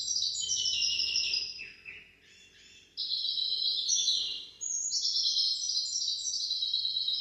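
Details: Goldfinch × canary hybrid singing hafada and daniya phrases for teaching goldfinches and canaries: rapid high chattering trills, a lower swooping note and quieter pause, then strong repeated silvery warbles.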